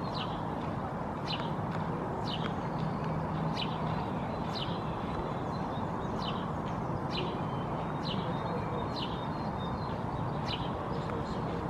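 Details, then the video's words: A male house sparrow perched on top of a hedgerow in Helsinki, Finland, in May 2024 gives short, bright chirps, about one each second, over a steady low rumble of traffic. "House Sparrow perching, vocalizing"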